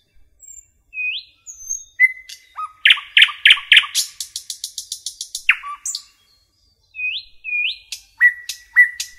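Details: Common nightingale singing in a forest: pure whistled notes, a fast series of loud repeated chirps, a rapid dry trill, then rising whistles and sharp repeated notes, with short pauses between phrases.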